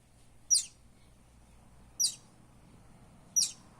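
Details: Young buff-banded rail from the Philippines uttering three loud, shrill, downward-sweeping peeps at uneven intervals of about one and a half seconds, over a soft low hum.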